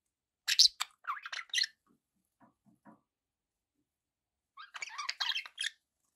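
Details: Pet budgerigars chirping in short bursts: a loud scratchy cluster of chirps, a few faint clicks, then another burst of buzzy chatter near the end after a quiet pause.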